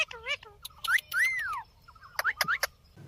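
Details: Talking parrot asking for roti; brief chattering syllables mixed with clear rising whistled notes and a long arching tone, with faint low room noise underneath.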